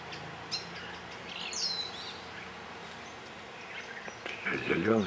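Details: A grey-eyed bulbul (Iole propinqua) on Ko Lanta, Thailand, gives a few short, high, slurred notes, a couple curving downward, before a man starts speaking at the end.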